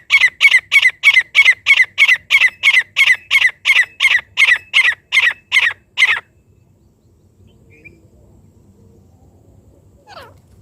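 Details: Francolin call used to lure partridges in: a fast series of about sixteen loud, harsh, ringing notes, roughly three per second, for six seconds, then stops, leaving quiet background with a faint rising note at the end.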